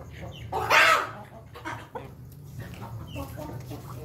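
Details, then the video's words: Ayam Ketawa rooster crowing while eating: one loud, harsh, harmonic burst lasting under a second, followed by quieter scattered notes over a steady low background hum. "ayam jago ketawa lagi makan"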